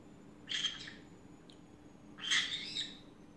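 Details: Two raspy, broad squawks about two seconds apart from a pet green-cheeked conure mid afternoon rant, the second longer and wavering, over low indoor hum.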